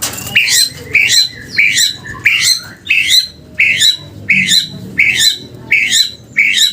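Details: F2 white-rumped shama in muntah beling style delivering a series of nine harsh, rising squawk-like notes, each sharp and upslurred, repeated evenly about every three quarters of a second.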